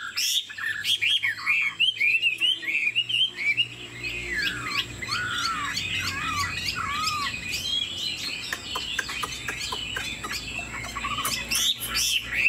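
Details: A 90% pure-bred caged Chinese Hwamei sings with wing display. Varied whistled phrases, including several clear downward slurs, run over a faint background rumble, with scattered clicks.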